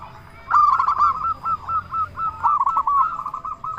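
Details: Local zebra dove in loud full song, meant to stir other doves into replying: a continuous run of soft, rounded, bubbling coos, rapid and evenly pitched, broken by a few brief gaps.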